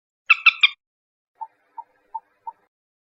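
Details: Common moorhen lure sound: a rapid triple of rough, buzzy notes, then four soft, clipped notes spaced about a third of a second apart, with nothing else heard.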